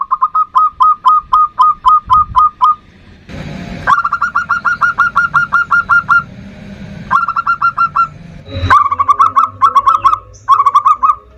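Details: Local zebra dove singing the 'ndudut' variation as a lure to provoke an opposing bird. Long runs of fast, evenly spaced rolling coos, broken by brief noisy gaps, ending in clipped stuttering phrases.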